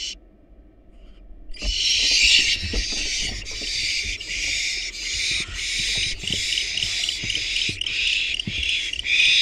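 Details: Wild barn owl nestlings in a monitored nest box, hungry while being fed a rat and a rabbit; after a quiet start, continuous overlapping harsh hissing screeches fill the clip, with low knocks and scuffling from the nest.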